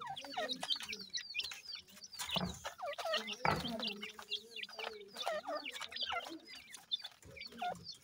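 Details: Feeding chicks of grey francolin, seven days old and hen-hatched, keep up continuous shrill downward peeps, many birds calling at once, with a low droning tone beneath and two short knocks.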